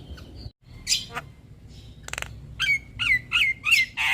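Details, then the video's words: Lure song of a Javan myna (jalak kebo) for stressed birds: scattered harsh squawks and a dry rattle, then a run of five loud, evenly spaced downslurred whistled calls, about three per second. "Terapi Burung Jalak Stres Macet Bunyi Rutin Putarkan Suara Pancingan Jalak Kebo"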